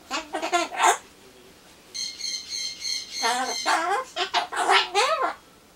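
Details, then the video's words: A pet Ducorps's cockatoo chatters alone while awaiting pumpkin, mimicking phrases such as greetings and 'cute'. It gives a rapid burst of voice-like syllables, then three buzzy nasal notes, then a longer run of wavering, speech-like sounds. "ソロモンオウムたろちゃん カボチャを待ってる間のひとり言"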